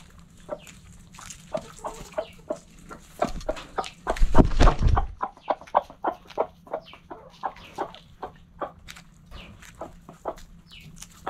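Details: Clucking backyard chickens in their coop, rapid short clucks about three to four per second, with a loud low rumbling thud around the middle that briefly covers the birds.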